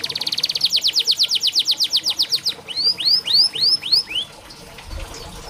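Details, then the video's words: Canary song used as training and therapy to get reluctant canaries singing: a fast run of about twenty rapid, steeply sweeping high notes, then five slower, clearer upward-arched whistles, fading near the end. "Burung KENARI malas bunyi Terapi untuk burung kenari masteran canary"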